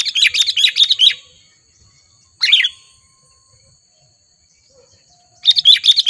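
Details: Sooty-headed bulbul, a wild bird in Lubuklinggau, Indonesia, challenging a rival: a second-long run of rapid, scratchy chirps, a single short burst, then another quick chatter after a long silence.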